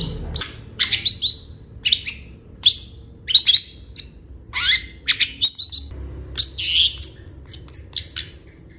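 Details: Long-tailed shrike in full isian song, a lively varied stream of clear, sharp whistled and squeaky notes, mostly high and often sliding, delivered in quick separate phrases about every half second over a quiet background.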